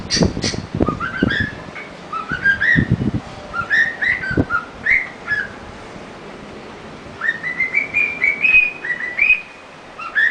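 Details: A pet cockatiel whistles a learned tune, the Addams Family theme and a car alarm, in clear, rising phrases, with a few dull thumps early on.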